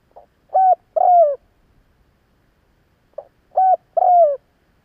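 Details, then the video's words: Spotted dove cooing to draw a fast response from wild doves: two matching phrases about three seconds apart, each a soft note then two rich coos, the second falling slightly. No other sounds. "Tiếng chim gáy gọi hay kích bổi nhanh nổi"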